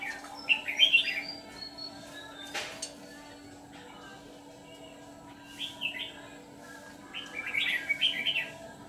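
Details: Decoy red-whiskered bulbul singing during bulbul trapping: three separated bouts of quick, warbling, slurred notes, with long quiet gaps between phrases and a soft click midway.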